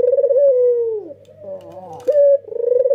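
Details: White ringneck dove with red eyes, an adult male, calling continuously with a nodding coo: a long rolling coo that falls at its end, a softer throaty interval, then a sharp bright note leading into another rolling coo.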